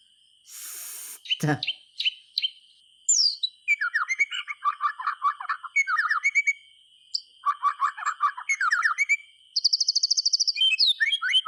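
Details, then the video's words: White-rumped shama, played to spur silent shamas to sing: a varied run of short whistled and warbled phrases, rapid chirps and a quick high trill near the end, over a constant high-pitched tone. "SUARA BURUNG MURAY TERGACOR COCOK UNTUK PANCINGAN MASTERAN"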